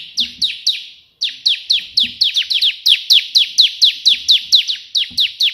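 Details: Bar-winged prinia, known as ciblek, pouring out tembakan perenjak putih song: an almost continuous stream of bright falling chips, roughly four a second, with one brief break, and faint low thumps below.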